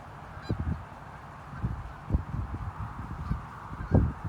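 A gaggle of Canada geese gives short, overlapping honks at an irregular pace, several per second at times, over a steady low rumble.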